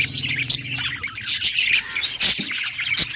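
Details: Budgerigar happily singing in a short burst of dense, scratchy chirps and bright squeaky notes, with a couple of loud clicks and a low hum in the background.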